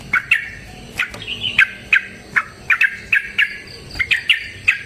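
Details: Yellow-vented bulbul fighting song used as a lure: paired chirped notes, slurred up and down, repeated roughly twice per second, over faint background noise.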